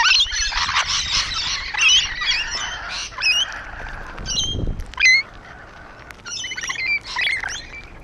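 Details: Rainbow lorikeets perched on a wall, a busy flock trading dense shrill chatter with squeaky upslurred whistles and harsh screeches overlapping throughout, a brief low thump near the middle.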